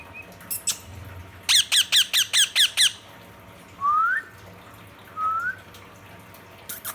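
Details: Ring-necked parakeet calling its companion parrot: a tight series of six loud, harsh screeches, then two separate short upslurred whistles and a faint squawk at the end.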